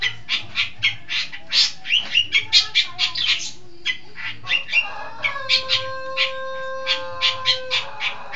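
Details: Long-tailed shrike from East Java, a clever, actively singing bird: rapid series of harsh, high chattering notes, then a steady whistled tone with low hum running underneath.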